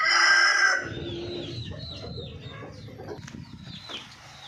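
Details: Golden Misri chicken opens with a loud, rich harmonic call lasting under a second, then quieter clucks and small-bird chirps continue over low background rumble.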